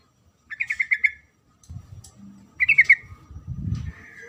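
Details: Sooty-headed bulbul female calling the male: a rapid run of six chattering notes, then a shorter burst of three, with low thumping noise below.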